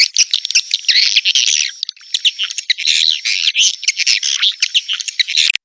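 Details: Tombak raja swiftlet lure, played to attract swiftlets to nesting houses: an almost unbroken stream of shrill, chattering twitters and raspy squeaks, high-pitched and busy, with only brief gaps.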